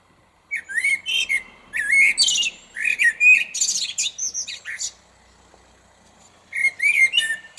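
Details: Common blackbird singing at lunchtime from a small tree in a car park, very close: mellow fluted phrases dissolving into high, squeaky twittering, in a run of several bursts, a pause, then a new phrase.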